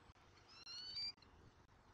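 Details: A bald eagle chick (E23) in a nest in Southwest Florida, filmed at feeding time on 13 January 2024, gives a thin, high, slightly rising whistled chitter of about half a second over a steady background hiss.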